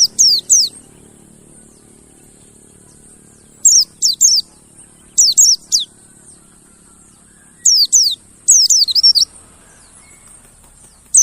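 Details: Mountain white-eye lure for getting caged birds to sing: bursts of two to five rapid, very high, steeply falling whistled notes, some with a twittering wavering ending, separated by short pauses.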